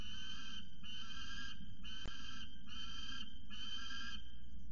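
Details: Young male peregrine falcon on a nest ledge at CSU Orange, screaming after chasing his mother off the scrape, caught by a nest cam. Five harsh, strained screams in steady succession, each about half a second, over a constant low rumble.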